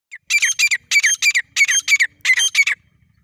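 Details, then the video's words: Grey francolin, a desi teetar, calling in jungle: loud harsh paired notes repeated in quick bursts, each pair sharp and ringing, about five doublets in three seconds, background otherwise quiet. "Jangle ka tateer beautiful voice"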